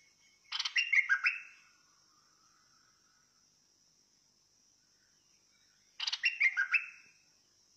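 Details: Bulbul, fierce song type, giving two matching bursts of rapid chattering notes about five seconds apart, a faint low trailing sound between them, with a steady high drone.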